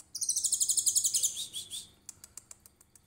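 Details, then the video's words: Trotol konin delivering a cililin-style shot for songbird training: a quick, evenly pulsed high trill of about twelve notes over a second and a half, followed by isolated sharp ticks. "KONIN TROTOL GACOR VIRAL 2021 FULL TEMBAKAN CILILIN COCOK BUAT MASTERAN"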